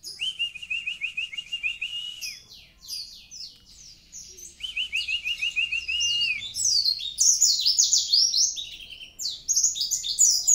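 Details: Kintamani mountain white-eye singing 'gacor': runs of evenly pulsed, lower trilled whistles alternate with bursts of high, scratchy twittering that build loudest near the end.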